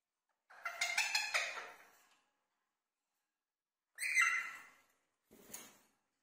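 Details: Pet Indian ringneck parakeet talking while playing and dancing: three harsh, harmonic-rich vocal bursts. The first is the longest and most varied, lasting nearly two seconds, followed by two shorter, rasping phrases after a pause, in a quiet indoor setting.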